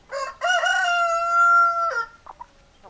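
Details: Rooster crowing loudly: a short opening note, then a long, sustained, slightly rising and falling cry of about one and a half seconds, ending abruptly, with a few soft clucks afterward.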